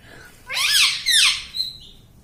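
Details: Pet parrot (tota, mitthu) that talks and mimics words like 'mummy': two loud, rasping, voice-like syllables with curving harmonics, followed by a thin, steady whistled squeak, indoors.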